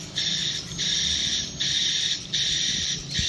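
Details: Swiftlet calls recorded at a swiftlet house, heard as loud, harsh, buzzing chatter in four bursts of about half a second each, divided by brief quiet gaps, over a faint low rumble.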